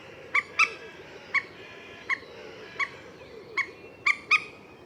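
A common moorhen gives short, sharp, ringing 'kek' notes, about eight in five seconds at an uneven pace, some in quick pairs, over a low background rumble.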